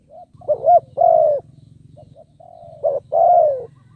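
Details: Decoy spotted dove cooing to lure wild birds, two loud phrases each with a throaty wavering note and a long, slightly descending coo, a faint short phrase between them, over a low droning hum.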